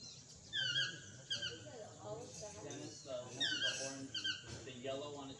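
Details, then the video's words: Chestnut-mandibled toucan in Costa Rica giving loud, yelping, downward-slurred notes in quick pairs and triplets, repeated about every second, with murmuring voices faintly behind. "Chestnut-mandibled Toucan"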